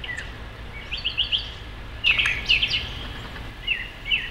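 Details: Brown thrasher singing at twilight on 1 June 2013 from the top of a distant tall tree, bright varied chirping phrases, some repeated twice in quick succession, over faint low background noise.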